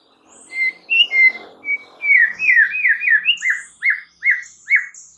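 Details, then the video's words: White-rumped shama lure song meant to agitate any shama hearing it: clear whistled notes opening the phrase, then a fast run of short downslurred whistles repeated about twice per second. "PANCINGAN Murai Batu bikin langsung EMOSI murai manapun saat mendengarnya"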